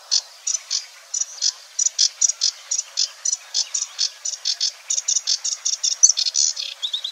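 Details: A Sedge Warbler sings, imitating other birds, in marsh near the Weerribben at Wetering West, Overijssel, Netherlands, on 6–7 May 2022. The song is a fast, high run of varied chattering and buzzy notes, about four a second, ending in a quick rising trill.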